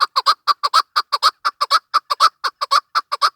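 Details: Steady, fast series of loud, rasping chuck notes from a female chukar partridge, many grouped in twos, delivered at an even rhythm throughout.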